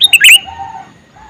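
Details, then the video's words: A male sooty-headed bulbul calls once with a rapid, chirpy three-note phrase, then a faint drawn-out whistle from another bird follows. "Suara Burung Kutilang Jantan MeManggil"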